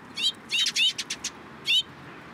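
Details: Close, loud sparrow chirps from birds gathering in a cherry tree at a Tenmangu shrine, 21 March 2023: rapid twittering bursts of slurred notes, a quick run of calls, then one more after a pause.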